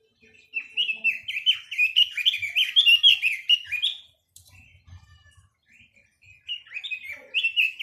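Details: Chinese hwamei singing a long, loud run of rapid, varied whistled phrases that rise and fall, pausing briefly before a second lively burst of slurred warbling; faint knocks in the background.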